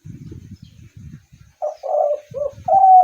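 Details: Spotted dove cooing: low rumbling pulses first, then a short series of soft, mellow coo notes, the last one longest and loudest.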